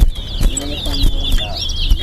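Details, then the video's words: A chestnut-bellied seed finch (towa towa) at a bird singing competition in Guyana pours out a fast, continuous warble of high twittering notes and quick trills, over a low background hum and faint voices. "Towa Towa Singing Competition"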